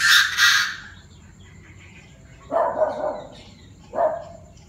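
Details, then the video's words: Chinese francolins calling around 7 p.m. on 18 September, several birds with many voices in an uproar: an opening harsh broad burst, then two loud rasping, grating calls separated by about a second and a half of quiet. "Tụi đa đa - nhiều giọng - đại náo lúc 19h 9/18"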